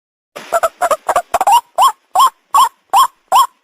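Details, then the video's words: White-breasted waterhen call, known locally as ruak ruak and played as a lure for catching birds: a quick jumble of short harsh notes gives way to loud, nasal, upslurred croaks repeated about twice a second. "the sound of the ruak ruak"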